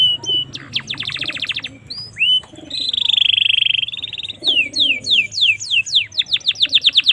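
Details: Domestic canary song meant as a master or lure for young birds: fast descending note series, short upswept whistles, a loud rolling trill, then repeated falling slurred notes and a final quick rattle.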